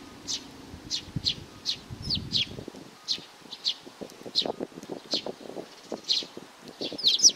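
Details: Young sparrow chirping steadily, short high notes roughly every half second, with low rustling and soft tapping sounds underneath.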